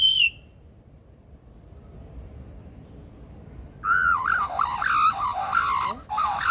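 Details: Male Superb Lyrebird kept in the Australian Rainforest Aviary of Adelaide Zoo, South Australia, known for mimicking other birds and mechanical sounds. A brief high whistle, a few seconds of quiet, then a jumbled run of warbling, chattering notes.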